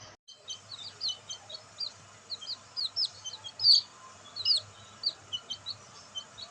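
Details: Black bantam chicks out in the sunlight, with a steady scatter of high, short, falling peeps from several birds, a couple of louder chirps standing out midway, about one or two calls per second overall.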